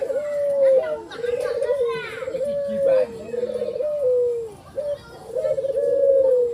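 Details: White ivory dove with a black collar cooing in quick succession, rolling low phrases that dip at their ends, three or so back to back, amid children's speech.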